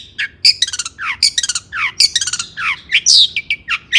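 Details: Excited long-tailed shrike singing to provoke rival shrikes: a hurried jumble of downslurred rasps, buzzy trills and piercing high squeaks, with scarcely any gaps between notes.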